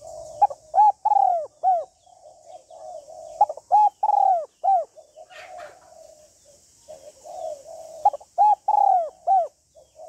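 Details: A female spotted dove calls to stimulate a male: low, soft cooing notes in runs, broken by louder, clipped coos in groups of three or four, repeated steadily over the clip.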